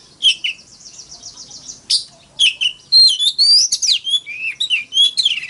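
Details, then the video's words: Oriental magpie-robin fighting song: opens with a quick buzzy trill, then a flowing series of clear rising and falling whistles and sharp chirps, delivered rapidly and without long breaks. "Tiếng than mồi hót đấu"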